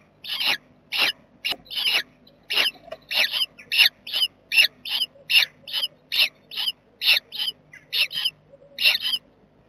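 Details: Short, clipped, high squeaks from a jackdaw family nesting in a box, 7 May 2020, repeated steadily about once every second against a quiet background with a soft low hum.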